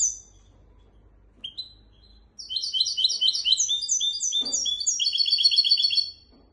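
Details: Tutor song of a goldfinch x canary hybrid, meant to teach goldfinches and canaries: a few scattered high chirps, then a dense, fast twittering run of repeated slurred notes for about four seconds before fading.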